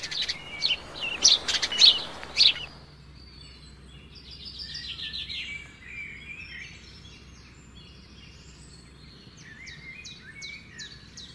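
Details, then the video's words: Common nightingale singing by a river among trees: a few loud, sharp ringing notes, then softer varied high warbling phrases over a steady background hiss of flowing water. "the sound of the nightingale"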